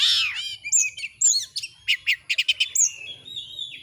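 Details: Kacer, the Oriental magpie-robin, in full song for training other birds to display. A harsh descending rasp opens, then looping whistles and a run of evenly spaced sharp chips, and a final long thin whistle.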